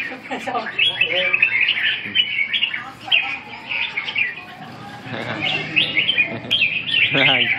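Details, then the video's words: Red-whiskered bulbul delivering a steady run of loud, cheerful warbled phrases, repeated with brief gaps, plus a few clicking and rustling sounds and faint low murmurs. "Chim Chào mào"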